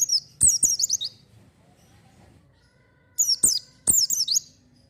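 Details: High, rapid twittering bursts from a lively oriental white-eye, recorded to lure untrained birds: one phrase at the start, a long quiet gap, then two more quick chattering phrases close together.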